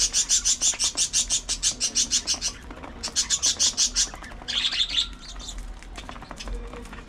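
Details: Pet budgies producing fast, evenly pulsed scratchy clicks, about six per second in two long runs, followed by a brief louder chirpy squawk and quieter scattered chatter.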